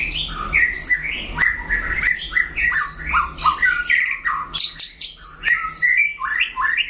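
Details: White-rumped shama in a singing duel with a rival, delivering loud, varied whistled and warbled phrases in quick bursts, rising and falling notes layered closely, with brief sharp clicks; low hum faintly underneath.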